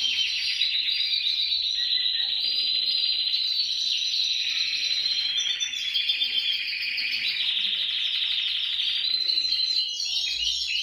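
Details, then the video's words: Canary in full song, used to prompt other canaries to sing: rapid, rattling high trills run without pause for about eleven seconds, rising and falling slightly in pitch. "TU CANARIO CANTARÁ CON ÉSTE VÍDEO | CANTO CANARIOS"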